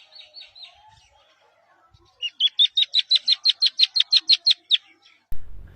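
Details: A newly hatched, egg-sized partridge chick calling on leaves while trying to hide gives a quick run of about fourteen high, sharp chirps, five or six a second, after a few fainter notes. A thump follows at the end.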